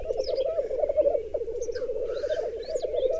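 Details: Lekking black grouse on an extensive raised bog in Berezinsky Biosphere Reserve, females crowding around a single displaying male. Continuous dense bubbling coo, unbroken throughout, with a few faint higher chirps above.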